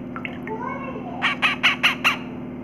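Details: Pet parrot cleaning its beak after lunch: soft whistled and warbling notes, then five quick harsh squawks in a row, over a steady low indoor hum.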